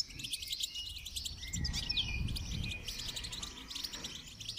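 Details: Goldfinch song during training: fast, high, repetitive twittering notes over a noticeable low rumble and hiss, with a longer whistled glide partway through.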